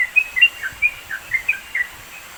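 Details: Sooty-headed bulbul recorded near mountains in East Java, Indonesia, for training songbirds: a short phrase of about seven separate bright chirps, some rising, some falling, over faint background hiss.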